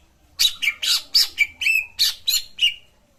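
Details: Cucak ijo song played to coax a quiet bird into singing: a string of about nine sharp, bright chirped notes, each ending in a short whistled tail, delivered rapidly over two and a half seconds.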